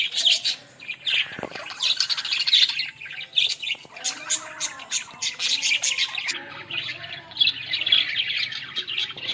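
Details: Several Australian parrots in a village keep up a long run of bright, scratchy warbles and squeaky chirps. The chatter comes in rapid bursts with brief dips between them.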